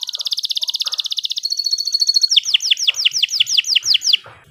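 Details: Canary pouring out a rapid buzzy trill that thins, then breaks into a string of looping descending whistled notes about four per second.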